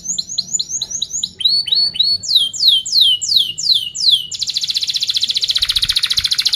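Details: Canary singing to teach young canaries: repeated high falling chirps in quick series, louder slurred downward notes, then a very fast dense buzzing roll.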